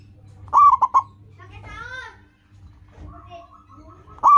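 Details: Loud local zebra dove song used to train caged birds: one full phrase of quick rolling coos, then a brief wavering voice-like sound, a soft flat trill, and the start of another phrase at the end.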